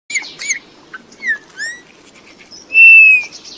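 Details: Eurasian bullfinch song: scattered soft creaky notes and short descending piped whistles, then a long, steady, clear whistle held for almost a second near the end.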